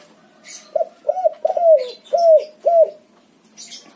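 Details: A white-coloured backspot spotted dove delivers five mellow, drawn coos, the middle ones longer and bending downward, while thin high chirps of other birds sound briefly before and after.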